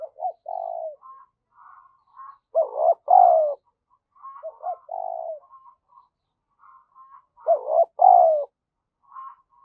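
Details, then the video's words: Spotted dove used as a lure, giving urging and cooing calls to stimulate other doves: three low, husky two-part coos, each with a short note and a longer falling note, spaced several seconds apart, with soft higher notes between. "chim cu gáy mồi gáy thúc và gù"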